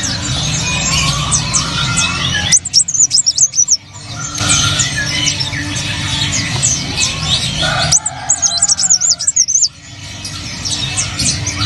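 A sunbird sings in quick bursts of thin, high, twittering notes with sharp slurred squeaks. A low steady hum runs underneath.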